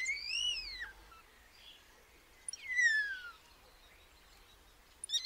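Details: Common starling, Sturnus vulgaris, producing two long clear whistles: the first rising then falling and arched, the second a drawn-out downward slur, separated by quiet, with a brief sharp click near the end.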